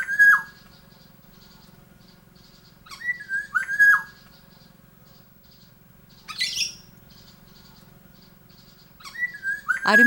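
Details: Breeding male Black-naped Oriole singing as mating season nears, raising his voice to win a female's attention: clear, fluty, slurred whistled phrases, dipping then rising, repeated about every three seconds, with a brief harsh rasp between them.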